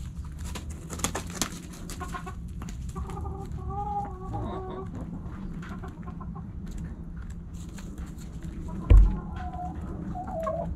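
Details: Backyard chickens at morning sunrise: several hens clucking in short bursts and a drawn harmonic call, with a sharp thud near the end and a low hum throughout.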